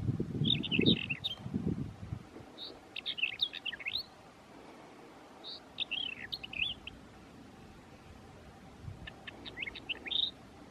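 Mourning wheatear giving four short bursts of scratchy, warbled notes about every three seconds, high-pitched and jumbled, with low rumbling noise at the start.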